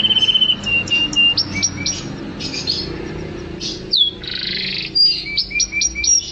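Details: Canary song for training other songbirds: a quick trilled opening followed by varied high chirps, sharp whistled notes and a dense buzzy roll, phrases shifting rapidly with brief pauses.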